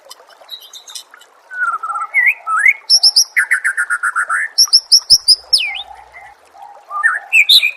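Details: Murai training recording: a few slurred whistles lead into a fast run of about a dozen repeated buzzy notes, then swooping whistles and a closing rising phrase.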